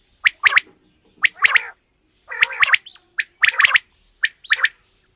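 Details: Female and male quail calling together: sharp paired raspy notes in bursts about once a second, with short gaps of silence and a faint steady electrical hum.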